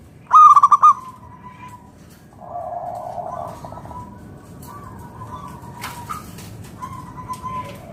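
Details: Local zebra dove, a loud singer used to entice other doves to sing: one brief burst of rapid staccato coos at the start, then softer, blurred murmuring tones in the background.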